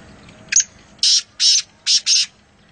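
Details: Black francolin, locally called kala teeter, recorded in Nawabshah, Pakistan: one short harsh note, then four longer rasping, high-pitched chirping bursts in two pairs, each about a quarter second, over a faint low background hum.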